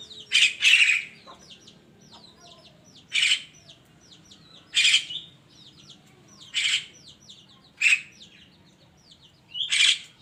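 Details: Javan myna in the morning: a series of six rough, scratchy squawks at irregular one-to-two-second gaps, set against a constant chorus of thin chirps from many small birds.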